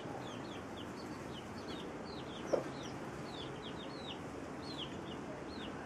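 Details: Brood of chicks feeding alongside the hen that watches over them: a continuous stream of shrill, falling peeps, often in quick pairs, with one brief soft knock midway and constant low hiss behind.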